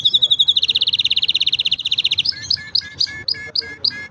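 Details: Green canary singing a fast, even trill of rapidly repeated high notes for about two seconds, then switching to a slower series of separate two-part chirps, each repeated roughly every quarter second.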